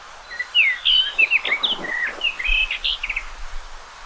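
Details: Continuous melodious warbling from a common rock thrush: clear whistles, upslurred notes and quick trills tumbling one after another, with faint low thumps underneath.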